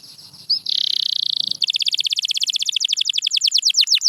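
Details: Canary singing as sound therapy to encourage silent birds: a short rising note, then a sustained buzzy trill for a second, followed by a fast, steady run of sharply repeated down-slurred chirps.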